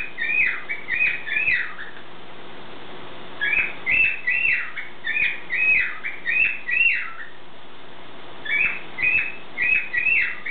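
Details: Pet bird singing in the morning for a long stretch: clear bright chirped notes in quick groups of three or four, falling and rising, with short breaks between bursts over a steady low hum.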